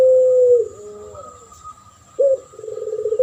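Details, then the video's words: Spotted dove lure duet: end of a long level coo sliding down, soft lower wavering notes, a quick emphatic note, then a pulsing rolled coo starting; thin constant whine in the background. "Duet masteran pancingan burung puter pelung.model suara juara dan Derkuku"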